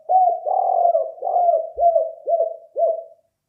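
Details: Spotted dove call used as a lure: a low soft cooing phrase, one drawn-out coo followed by a series of shorter falling coos roughly every half second, clean with no other sounds.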